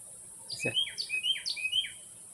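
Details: A male Carolina Wren in Ocala National Forest, Florida, sings near a house, as he does when he wants food or company: a loud, ringing phrase repeated three times in quick succession, each a bright rolling two-part whistle; a soft thump near the start.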